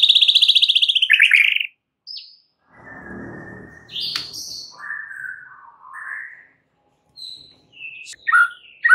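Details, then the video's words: White-rumped shama morning song: a fast bright trill at the start, then quieter smooth whistles, a soft hiss and a few sharp notes at the end. "mUrai MACET jadi NYAUT GACOR di PAGI HARI"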